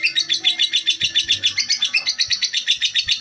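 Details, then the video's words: Calm female lovebird producing fast, strident chirps in a tight rhythm, close to four per second, with faint knocking sounds in the background. "Lovebird betina"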